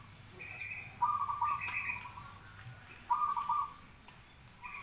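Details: Zebra dove cooing in short bubbling bursts roughly every two seconds, mixed with higher, brighter whistled notes from another bird overlapping each phrase.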